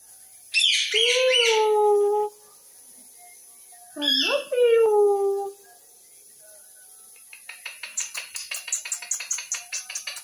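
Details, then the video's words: Pet parrot talking: two drawn-out, voice-like tonal phrases with clear harmonics, the first over a second long, the second starting low and rising, followed by a rapid train of short clicking or tapping sounds. "Talking Parrot"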